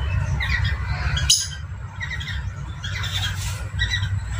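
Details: Parrotlets, locally called Falk, heard during mating, in a recording said to stimulate breeding desire; scattered short harsh chattering squawks over a steady low hum, with one sharp loud burst near the middle.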